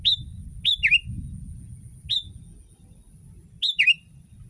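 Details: Kutilang, or sooty-headed bulbul, singing in a tutor recording for other bulbuls: loud falling whistles, some followed by a lower slurred note, in bursts separated by one to two seconds of quiet, faint hum below.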